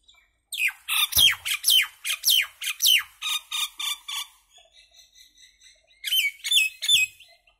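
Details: Common myna song as a loud run of squawky, downslurred notes about two per second, a softer stretch of quiet chirps, then a final group of three strong, descending whistled squawks.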